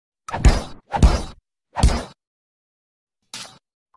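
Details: Three loud, thudding knocks in quick succession, then a softer fourth after a pause, like a door or object being struck, with silence between and no animal voice.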